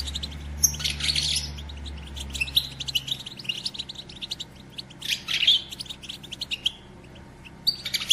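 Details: European goldfinch, said to be a female, in a batbata recording meant to stimulate males to sing and mate: bursts of twittering, tinkling high notes with rapid repeated chips, plus a low steady hum at the start.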